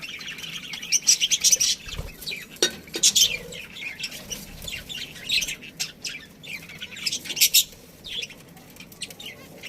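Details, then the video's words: Colony budgies, including a breeding pair, giving rapid harsh chirps and squawks in uneven clusters, with brief pauses between bursts of chatter. "Cute Budgies Chirping Sounds"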